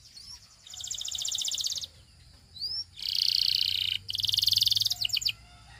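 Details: Belgian canary song aimed at attracting other canaries: bursts of dense, purring rolled trills lasting about a second each, separated by brief rising whistles.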